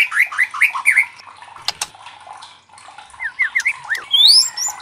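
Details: White-rumped shama, loud song meant to provoke other shamas into singing: rising whistled notes repeated quickly, sharp clicks, then a high upward-sweeping whistle.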